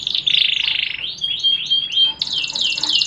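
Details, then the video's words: Canary singing a rapid, high song of buzzy trills and rolling sweeps, dense pulsed notes giving way to repeated swooping whistles, then a shrill fast trill. "Kenari Bjorka | Bakal bejo ratau kalah | Cengkok Hacker hacker"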